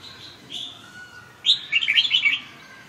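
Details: Red-whiskered bulbul giving a soft, short whistled note, then a lively rippling phrase of rapid, chirpy, slurred notes lasting under a second.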